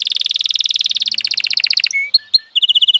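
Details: Canary of F1 type delivering a rapid rolling trill of pulsed notes for nearly two seconds, a few short whistled notes, then another quick bright trill.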